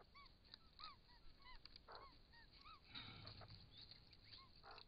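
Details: Wild White-winged Choughs at a pond in Australia, filmed by camera trap while drinking, utter soft, repeated arched whistled notes from several birds, interrupted by brief scratchy bursts and a low background hiss.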